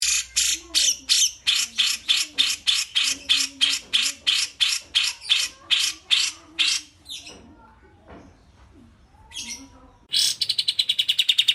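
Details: Grey-cheeked bulbul (cucak jenggot) recorded as a model for training pet birds: a long run of harsh, buzzy, broadband squawks, about three per second. A short quiet gap follows, with faint lower notes, then a burst of rapid high chatter at the end.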